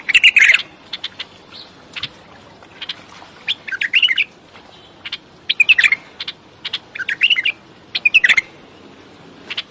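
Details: Bulbul repeating many short, bright chirping phrases, some with a sharp warbled note, spaced about a second apart in an even, lively series.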